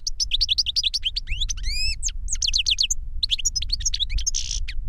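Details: Captive European goldfinches, a master bird and the young novice it taught by CD, singing 'reclamo' song; dense, continuous high twittering with rapid chirps, rising whistled slurs and a buzzy rasp near the end, over steady low background rumble.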